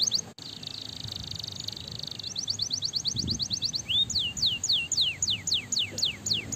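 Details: Canary song played to stimulate other canaries: a steady high buzzing trill, then an evenly spaced chip series, then loud falling whistles repeated about twice a second.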